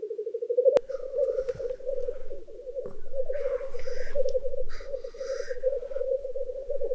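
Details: Male Black Grouse lekking in a spring wetland at dawn, around 4:54 am under a clear sky, give a continuous low, rolling bubbling with a steady pulsing rhythm, joined now and then by brief higher hissing notes.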